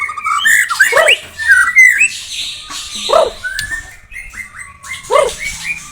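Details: Blorok white-rumped shama pouring out loud whistled phrases, rising and falling slurs and rapid chattering notes, with deeper rasping squawks recurring about every two seconds.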